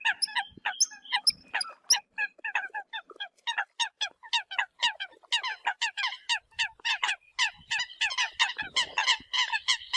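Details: Eurasian coots calling to the flock: a dense stream of short, nasal, honking notes from several birds, coming in quick overlapping bursts that grow busier over the ten seconds.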